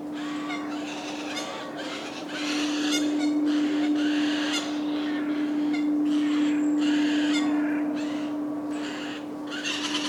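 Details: Eurasian jays feeding chicks in July in a large Welsh woodland (Padarn Park), giving harsh, rasping bursts in quick succession, several each second, over a steady low electrical hum.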